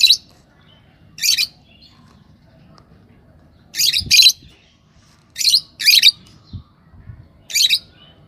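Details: A pair of yellow Fischer's lovebirds chirps repeatedly with shrill, squeaky notes, some coming in quick doubles, about seven calls across eight seconds, with faint thumps beneath.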